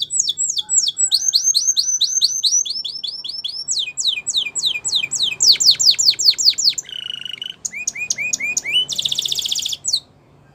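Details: Canary song made of rapid strings of high downward-sweeping notes, changing tour every second or two, with a brief lower rolled phrase and a dense buzzy trill near the end.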